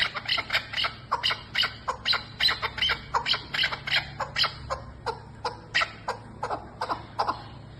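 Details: Chukar partridge call used for hunting: a rapid run of sharp, clucking chuk notes, about three each second, held in a steady rhythm for the whole stretch over a faint low hum.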